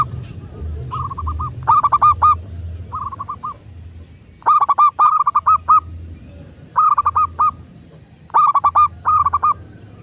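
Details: Local zebra dove song for prompting doves to sing: about eight short phrases of staccato, ringing coos, mostly in closely spaced pairs, with soft low background noise throughout.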